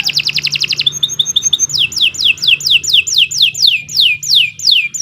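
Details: Kenari Nusantara canary in long, continuous song meant as a master recording for training young birds: a rapid buzzy trill of even notes, then a series of loud whistled notes that each sweep sharply downward, about three per second.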